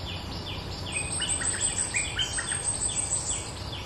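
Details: Lively bulbul lure call: a busy run of short, sharply falling whistled notes repeated several times a second, with a thin high chirping line above and constant low background noise.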